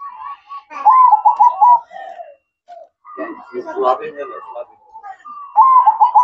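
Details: Zebra dove (perkutut) singing at night with trilled, rolling coo phrases at start and end, while a human voice and mixed noise fill the middle.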